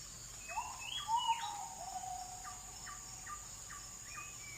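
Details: Oriental magpie-robin singing in a forest: slurred whistled notes and a series of short repeated chips, somewhat distant, over a steady high-pitched insect-like drone.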